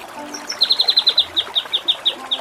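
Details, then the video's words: Kinoi training song in the ngepik kapas tembak and nembak Cililin style: a fast run of bright, high, evenly spaced ticking notes that slow slightly toward the end, with faint background hiss. "Masteran Mewah KINOI || Ngepik Kapas Tembak || Nembak Cililin"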